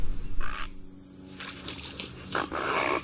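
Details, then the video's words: Great blue heron with brief, coarse squawking bursts separated by quieter gaps. A faint high whistle and light chirping from other birds sit behind the calls. "Great blue heron"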